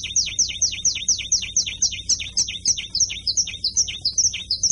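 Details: Canary with carretilha-style singing, a long rolling chain of piercing, quickly descending notes, evenly spaced at about four each second against a quiet background.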